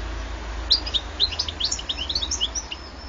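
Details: A 2014 recording of a European goldfinch singing rapid, high, liquid twitters and short rising chirps strung together without pause, with a steady low hum underneath.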